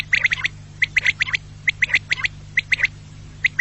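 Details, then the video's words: Quail voice for hunting: quick groups of two to four sharp, bright chirps in rapid succession, separated by brief gaps, with a persistent low background hum. "Batair ki new awaz // Batair vioce hunting// بٹیر کی نیو اواز مست کرنے کے لیے"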